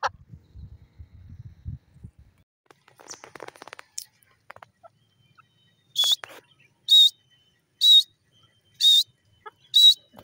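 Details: Grey francolin: after faint rustling and low noises, five loud, short, sharp high notes ring out roughly once per second.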